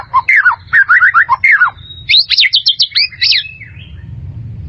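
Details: A white-rumped shama sings for training caged birds: a quick string of about eight repeated slurred whistles, then a burst of sharp, high, rapidly repeated notes, fading into a quiet low hum.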